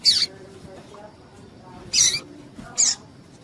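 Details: Chips from a female double-collared seedeater, a call used to stir up males. Three loud, brief, high notes come about one and a half seconds apart. A quiet low background is heard between them.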